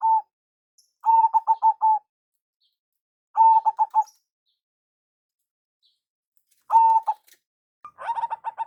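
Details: Zebra dove of local stock repeating short lure phrases, bursts of quick stuttering coos separated by pauses of one to three seconds, ending with a faster rattling series.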